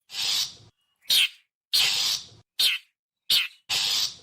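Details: Long-tailed shrike typical call used as a lure for wild birds: harsh, raspy scolding notes, long grating bursts alternating with shorter ones, about six in four seconds, clean with silent gaps.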